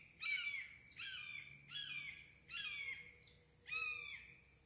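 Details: Red-shouldered hawk recorded in Craighead Forest Park: five loud, harsh, slurred screaming notes, each dropping in pitch, given in a series roughly once a second, with the last note slightly higher and fuller, over a quiet background.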